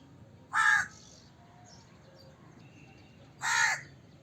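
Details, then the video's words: Two loud harsh crow caws about three seconds apart, faint chirps from other birds between them. "Crow Cawing Sound Effect, Voice of Crow, Crow Call Sounds, Crow Calling Sound, Crow Caw, Crow Bird"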